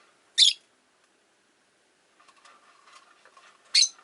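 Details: Caged rosy-faced lovebirds, five in a cage beside a window, give two loud, grating shrieks about three seconds apart, separated by quiet murmuring chatter and low town sounds.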